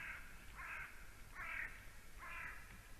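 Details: At 7:40 am on 12 October 2020, a courting white-tailed eagle pair at their nest in Latvia's Slītere National Park. The male is rebuilding the nest. Four harsh, grating notes come at roughly even intervals of about 0.8 seconds against a faint hiss.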